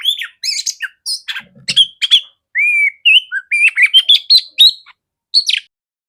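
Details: Female oriental magpie-robin used as a training voice for other magpie-robins, giving scattered scratchy chips then a run of clear, separate whistled notes, some rising, some slurred, with brief pauses between.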